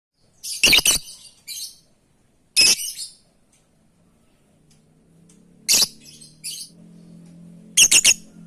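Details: Lovebird calling its companions: sharp, harsh high chirps in short bursts of two or three, spaced a few seconds apart, with a low steady hum underneath.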